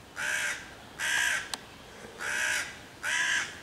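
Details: Hooded crow harassing five young raccoons in a tree near their nest hole, 11 June 2023, cawing loudly to drive them off and summon other crows: four harsh, hoarse caws about one a second, with a sharp click between the second and third.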